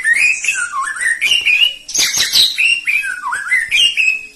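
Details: Loud, rich song of a Medan white-rumped shama: fluty whistled phrases that dip and rise, repeated several times, with harsher high bursts mixed in and no other clear sounds.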